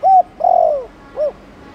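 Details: Spotted dove cooing in the Thổ Đồng style, meant to prompt young doves to start calling. A short flat hoot, then a longer hoot that slides downward, then a soft closing note.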